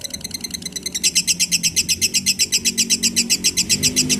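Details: Lovebird song for training other birds: quiet start, then a loud, rapid stream of high chirps, roughly four per second, evenly spaced over soft, low background noise.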